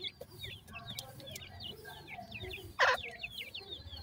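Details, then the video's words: Grey francolin chicks, five of them with the female, feeding; a dense run of high, short downward-sliding peeps, with one loud harsh burst near the end. "Dakhni Teetar chicks khorak time,Female with 5 chick"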